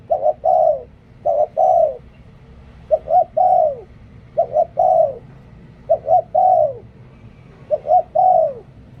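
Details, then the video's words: Spotted dove decoy bird repeating its coo about six times in steady succession, every phrase two short notes plus a longer coo that drops in pitch, over faint low background noise. "เสียงนกต่อ นกเขาใหญ่"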